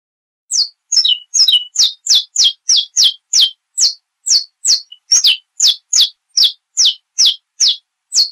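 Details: A saffron finch in Brazil sings its classic song, a quick run of sharp, high, down-slurred chips, about two or three each second, some doubled or stuttered, with a quiet background.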